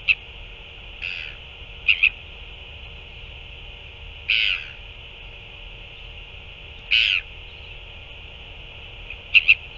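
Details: Northern royal albatross during a chick feeding by two adults, 9 February 2024; brief harsh squawks, some doubled, come at uneven gaps of two to three seconds against constant hiss.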